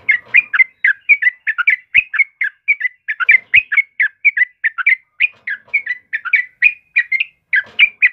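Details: A yellow-vented bulbul sings vigorously in a recording used as a training master for caged birds. Its chattering notes come in rapid clusters, steadily and without pause, and sound clean with no background noise.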